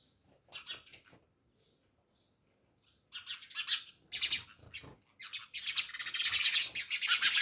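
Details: House sparrows at a village house in Jamnagar start with scattered chirps, then a dense overlapping chorus swells into continuous chattering toward the end.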